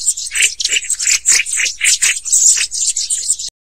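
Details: Black-throated bushtits (Aegithalos concinnus) give a run of thin, very high, buzzy notes with dry rattles, about three or four a second.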